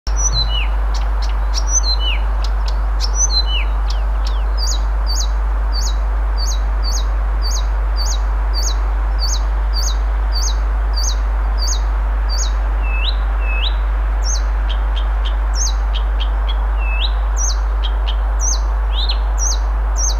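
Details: Blyth's reed warbler singing in Moscow, Russia, on June 1, 2021, a varied and beautiful song: clear whistled slurs and sharp ticking notes repeated in quick, changing phrases, some descending, over steady low background hum.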